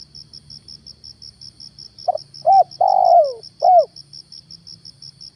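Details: Lure spotted dove calling on a morning outing to attract wild doves: one four-part cooing phrase with a long falling middle coo, backed by a continuous rhythmic cricket chirr.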